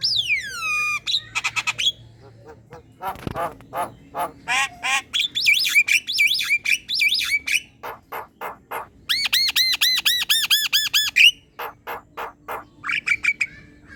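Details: Black-winged myna song used as tutor material for other birds: a long medley of harsh harmonic squawks, quick clicks, rising and falling whistles and rapid repeated notes, all loud and varied.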